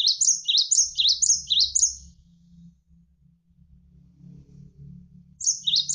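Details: Javan sparrow, a tutor recording for training contest and home birds, sings a burst of about six sharp, high, descending chirped notes in quick succession, then falls silent before a new burst starts; a low hum of running water underneath.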